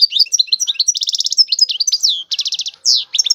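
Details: European goldfinch in full song: dense, fast twittering of bright chirps interrupted by two rapid rattling trills and a slurred, drawn-out note near the end.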